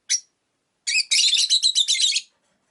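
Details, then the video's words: Rosy-faced lovebirds, five kept in a cage by a window, with sun and rain outside: one short high chirp, a pause, then a fast run of about ten harsh, buzzy chirps in quick succession. "Lovebird Chirping Sounds"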